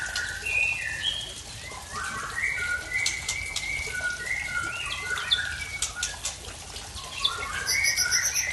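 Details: Aceh's Murai Tangse, a white-rumped shama, sings a strange fill-in song: a steady stream of short clear whistles at shifting pitches, mixed with rapid tick-like notes and brief high squeaks toward the end.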